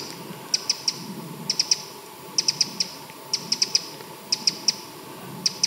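A Eurasian wren gives hard, high ticking calls in quick bursts of three or four, about once a second, over a soft background hum.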